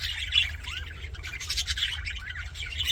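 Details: Budgerigars sounding happy, giving quick overlapping chirps, short rising whistles and raspy notes without pause, with a constant low hum underneath.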